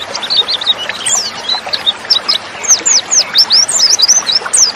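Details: White-eye, female, voice played to spur lazy males into singing: dense run of sharp, high tweets and looping whistles, nearly continuous, rising and falling quickly throughout.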